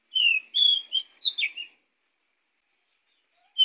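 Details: A pied bushchat gives one quick, sweet phrase of five or six high whistled notes, some rising and some falling, then a pause and one more note beginning.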